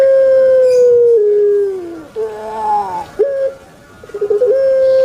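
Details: Puter pelung turtle dove, kept in Java, Indonesia: the tail of a long coo slides downward, followed by short throaty gurgling notes and a quick stuttered run into a new sustained hoot.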